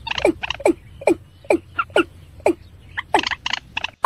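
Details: Watercock (ayam-ayaman) in slow 'peruk' calling: hollow, downward-sweeping notes repeated about every half second, steady in rhythm, with bursts of faster, higher notes near the end.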